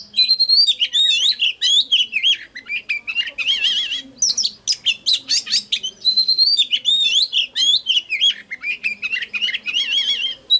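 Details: Oriental magpie-robin song played to stir birds into singing and to lure wild birds: a near-continuous run of rich, varied whistled phrases with rising and falling sweeps and buzzy bursts, barely pausing, over a faint low hum.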